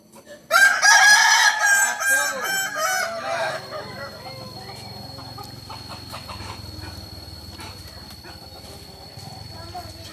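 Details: Kukuak Balenggek rooster from Solok crowing: one loud, long, harmonic crow lasting about three seconds, wavering and stepping in pitch before trailing off, then quieter background noise with a steady high hum.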